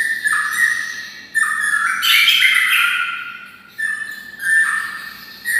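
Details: Captive white-rumped shama living near red-whiskered bulbuls, singing with a bulbul-like voice: rich, warbling whistled phrases with dips and rises, loudest in the middle of the passage.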